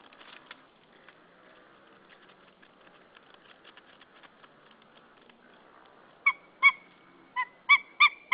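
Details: Wild white-tailed eagle pair at a nest in Saunja, Estonia, 24 February 2013 around midday, the male calling as the female arrives. Faint rustling and clicks, then a loud run of six sharp, harmonic yelping notes in quick succession.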